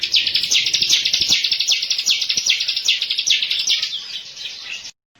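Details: Ciblek, the bar-winged prinia, on a training lure recording. A fast, insistent chain of high, buzzy chips repeats evenly for about five seconds, fading slightly before stopping abruptly into silence.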